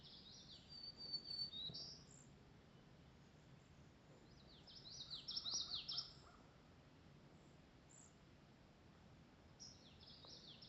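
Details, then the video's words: Wild birds singing on a foggy July 2025 summer morning: short bursts of high, thin, twittering song near the first, fifth and tenth seconds, with quiet pauses between and a low steady rumble underneath. "Magical Foggy Morning of July 2025 #nature #birdsounds"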